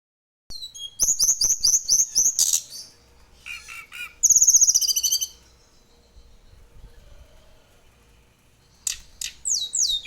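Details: Young mountain tledekan, a juvenile still in spotted plumage, practising its rolling song: high thin whistled phrases, fast repeated downslurred notes, a buzzy burst near the middle, then quieter chips and a final run of descending whistles.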